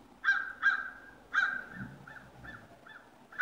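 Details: At sunrise on 22 November 2016, ravens give three loud, harsh, ringing calls close together, followed by a run of softer, shorter croaking notes, with one more loud call cut off at the end against a quiet rural background.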